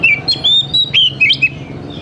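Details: Oriental magpie-robin song recorded as a lure to make young forest-caught birds start singing: a quick string of clear, varied whistles, some sliding up and others down, over a soft background hum.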